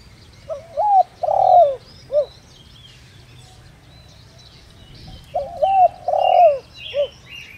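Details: Spotted dove decoy bird calling in the 'đồng rặc' voice style to lure wild doves: two low cooing phrases, each a wavering double coo, a longer swelling coo and a short final note, separated by a pause of about three seconds.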